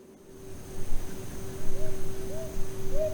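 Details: Brown Hawk-Owl giving soft, upslurred hoots in quick pairs, two in a row meaning "I live here", repeated about every second over a steady electrical hum.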